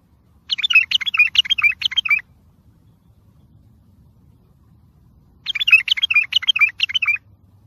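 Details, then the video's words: Bulbul song in the tayyariyat sihan style, used to train and encourage young bulbuls: a pair of rapid chattering, warbled phrases, each about one and a half seconds, with a long pause between them. "سمع بلابلك طياريات سيحان روعه صوت ماينوصف للتخريج وتحفيز"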